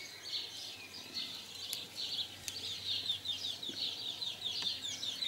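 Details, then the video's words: House sparrows mating in 2020 give repeated short, high chirps in an uneven stream, about two and a half per second, with a few faint clicks. "Huismussen paring"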